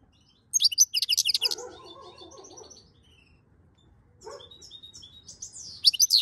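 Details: European goldfinch song from May 2022: a rapid run of sharp high chirps, then a lower buzzy rattling phrase, a quiet gap, and another twittering burst at the end over faint background hum.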